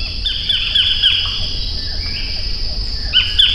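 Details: White-collared kingfisher calling: a quick run of about four harsh, downslurred notes, then fainter, scattered repeats near the end, over a steady high insect drone.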